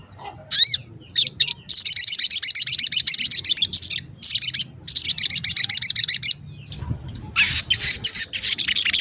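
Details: Gacor sogon, crimson sunbird, giving cuit cuit calls used to provoke and lure wild sogon: long stretches of rapid, high-pitched chattering notes repeated in quick bursts, broken by short silences.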